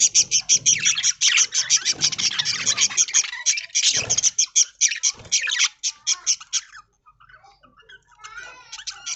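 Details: Budgerigars feeding on corn in green leaves in an aviary at dawn; loud, fast high chattering and squawky chirps, thinning out after seven seconds into softer, scattered warbled notes.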